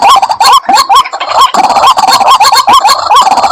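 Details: White-breasted waterhen played as a lure: crowded, rising croaking notes repeated rapidly in a thick, overlapping chorus, with a brief dip in loudness near the middle.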